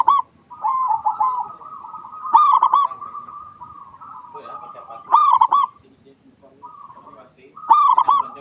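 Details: Zebra dove, a local bird, singing as a lure for other doves. Three clipped, stuttering coo phrases arrive roughly three seconds apart against a continuous background of quieter bubbling coos.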